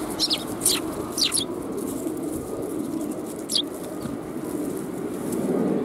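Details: Sparrows arriving to be fed at a Tenmangu shrine on 1 January 2021: a few sharp, high chirps early on and one more after three seconds, over a steady low background rumble.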